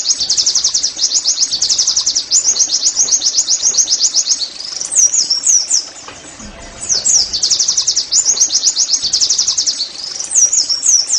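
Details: Oriental white-eye in "nembak" singing, played as therapy so caged pleci sing eagerly: extended bouts of rapid high trilled chirps, with swooping whistles between bouts and a short quiet pause.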